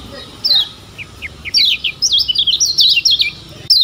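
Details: Lemon-bellied white-eye from Lombok giving tutor song: a single high slurred note, a few spaced lower chips, then a fast run of zigzagging high notes and a closing phrase.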